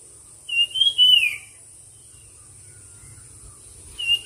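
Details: Bird singing in a competition: one ringing whistled phrase that rises and drops, then the start of another near the end, over low rumbling and a high hiss.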